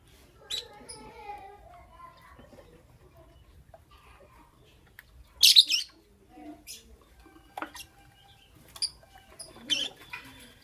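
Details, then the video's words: Pet lovebirds chirping in the morning: sharp, high, scratchy chirps and squawky bursts at irregular intervals, the loudest burst near the middle, with soft warbling notes between them in a quiet room. "Lovebirds Chirping Sounds"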